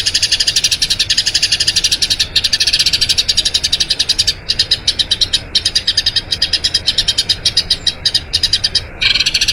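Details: Eurasian tree sparrow delivering a long rolling song for training other birds: rapid, bright chirps in long runs with a few short breaks and a slight drop in loudness midway.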